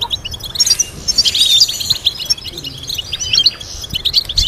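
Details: European goldfinch song meant to teach other goldfinches: bright, tinkling chirps and short trills tumbling quickly, several birds layered, with a faint low rumble.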